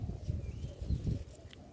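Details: Dove calling near a home vegetable garden as rain approaches: low soft cooing notes under gusting wind, with a faint higher bird note in the background.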